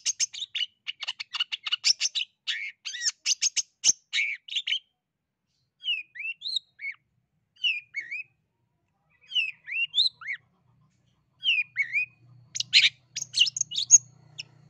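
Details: East Javan long-tailed shrike in full song: rapid bursts of harsh, chattering notes mixed with short rising whistles, pausing between phrases; a faint low hum enters near the end.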